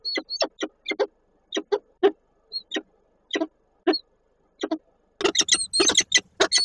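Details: Peregrine falcon pair meeting in a nest box at Koszalin, 10 October 2024: a run of harsh, clipped chipping notes repeated irregularly, some with a thin whine on top, then a denser burst of overlapping rasping calls at the end.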